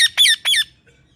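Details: A pet talking parrot (mithu) taught to say words like "mummy" gives three quick, harsh, voice-like syllables in under a second, as if imitating a spoken word, then falls quiet.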